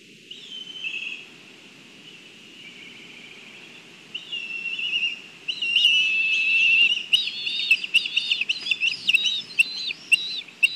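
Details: Black kites at a nest in Kurzeme, Latvia, during a food delivery: thin high whistled notes, at first faint and drawn out, then a busy chatter of short rising and falling squeals toward the end.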